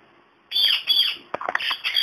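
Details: Indian ringneck parakeet, a talking pet parrot, chattering to a mobile phone: after half a second of quiet, harsh squawky mimicked syllables at high pitch, with a short run of clicking, broken notes near the end.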